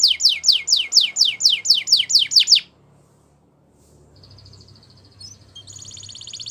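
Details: Belgian canary, recorded for training other canaries to sing, delivers about two and a half seconds of quick, high, descending trilled notes, then near silence with a faint thin buzzing at the end.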